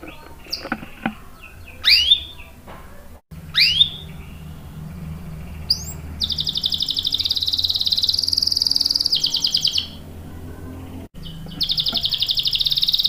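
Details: Canary singing for luring and tutoring young birds: scattered upward-swept whistles and chips at first, then a long fast high rattle, a pause, and another rapid trill, with a low background hum.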